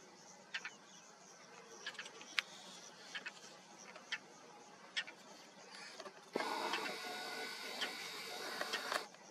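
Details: European roller in the Jezreel Valley, Israel, in May 2022, giving short, harsh, rasping notes at irregular intervals over a steady hiss that turns into louder wind-like rushing partway through.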